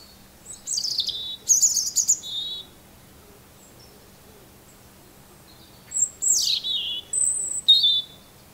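A robin sings two short, high, tinkling phrases of thin warbled notes and sliding whistles, separated by a few seconds of quiet.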